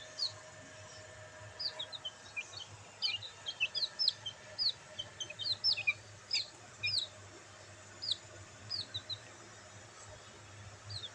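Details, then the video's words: Black bantam chicks in sunlight give bright, high, slurred peeps, sometimes in rapid runs of two or three, most dense in the first half and then more spaced out, over a low hum. "Bantam Chicks Enjoying sunlight |Black Bantam Chicks |Chicks Chirping Sound"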